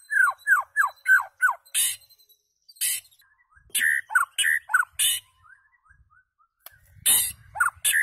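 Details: White-rumped shama singing: a run of five quick downward-slurred whistles, then scattered harsh chattering bursts and varied short phrases with pauses between.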